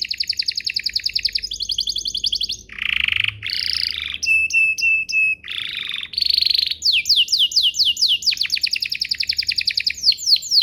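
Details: Canary song played to make other canaries answer, a varied sequence of rapid high trills, lower buzzy rolls, clipped repeated piping notes and quick falling slurs, with tours changing every second or two.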